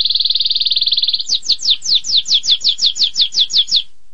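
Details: Canary in 'tembakan pedas' song style: a fast buzzy trill, then a series of about twelve sharp descending whistled notes repeated roughly every quarter second.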